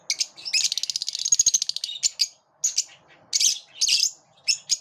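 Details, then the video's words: Morning lovebirds open with two chirps, then a rapid rattling chatter of fast repeated buzzy pulses, followed by spaced harsh chirps and squawky notes. "Love birds chirp beautifully in the morning"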